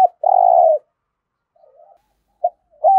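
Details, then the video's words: Spotted dove coo in the 'thổ' voice, played to set captive birds calling: a long steady coo, faint wavering notes, a short clipped note, then another coo beginning. "Tiếng chim cu gáy thúc gù + thúc đấu đủ bài giọng THỔ giúp bổi nhanh nổi"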